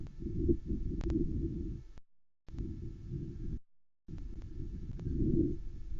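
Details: Low rumbling noise with two short dropouts to near silence; no animal calls.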